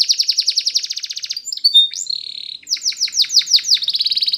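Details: Spanish Timbrado canary singing for training: a rapid rhythmic trill of repeated notes, brief whistled slides, a steady buzzing roll, then strong descending chips and a fast closing trill.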